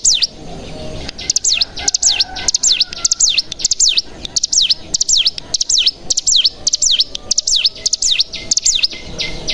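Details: Bar-winged prinia (cigun) decoy recording for getting other cigun to sing. A long run of high, piercing notes sweeps down and back up, each introduced by clipped ticks, with brief gaps between bursts.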